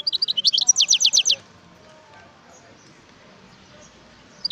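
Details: Wild European goldfinch delivering a lively twitter of high chirps that runs into a rapid train of repeated sharp notes, followed by near silence with faint distant calls.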